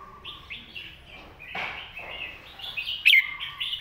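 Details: Red-whiskered bulbul master song, sung clearly for teaching young birds: a run of short warbled phrases, some rising and some falling, with a lower fluty note between them and a sharp click near the end.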